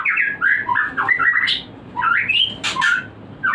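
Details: White-rumped shama song used as a breeding lure to raise breeding drive: quick varied phrases of rising and falling whistled notes mixed with harsher squawky notes, in short bursts with brief pauses.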